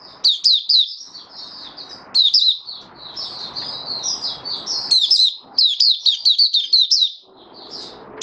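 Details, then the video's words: A caged oriental white-eye (Mata Puteh Raja) in open singing, fifth day after monthly deworming on 20 January 2022. Fast, chattering runs of high, falling chirps, with some softer warbled stretches and light background hiss. "Mata Puteh Raja Video 1 buka sing"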